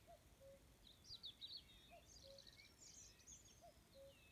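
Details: An evening recording in Rumburgh, Suffolk: a distant common cuckoo gives its soft, falling two-note 'cu-coo' about every two seconds beneath brighter, higher chirping and warbling from other songbirds.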